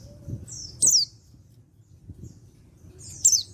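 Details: Male white-eye from Pacitan, an untrained bird, calling to prompt other white-eyes to answer. Two thin, very high, sharply descending notes are about two seconds apart, each slurring downward. Faint low rumbling background noise is heard.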